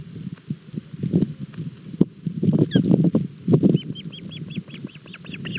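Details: Osprey chicks at breakfast in Barlinek Forest, 07 July 2022, struggling with a big fish, live cam; low rustling and thuds, then a steady run of about ten high, hooked whistled chirps toward the end.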